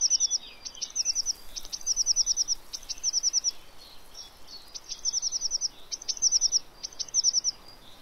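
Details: Eurasian blue tit at a fat ball feeder in Pellerey, filmed 3 March 2017. High, thin notes run into quick trills in bursts of about half a second, repeated almost every second over a steady background hiss.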